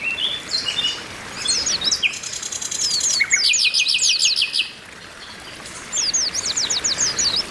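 Several Oriental white-eyes twitter together in high, thin, rapid chirps and short buzzy trills, with bursts of excited chatter and brief pauses.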